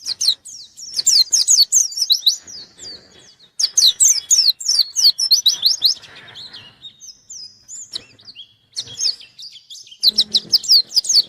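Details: White-eye in full song looking for an opponent: dense, piercing runs of quick chirps about four per second, alternating with quieter rambling twitter and brief gaps.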